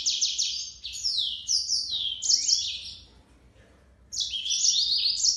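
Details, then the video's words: A yellow-fronted canary sings a lively, high-pitched warble of quick trills and downslurred notes, then falls silent for about a second before starting a fresh burst. "طائر الياسمين الموزمبيقي serin mozambique"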